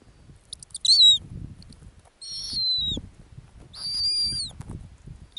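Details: Three shrill whistled calls from a female snowy owl nesting on the Arctic ground: a short sharp note, then two longer level screams each ending in a downward slur, with quiet pauses between.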